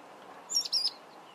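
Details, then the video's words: In Zambia, a mousebird utters two brief, very high chirps, the second a little drawn out, with low background noise. "Mousebird || call"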